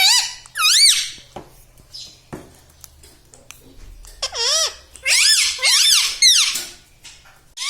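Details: Indoor talking parrot that reportedly says "Mitthu Mitthu" and "Papa Mummy". Quick, squeaky, bending phrases come singly and then in a rapid cluster near the end, with a faint low hum underneath.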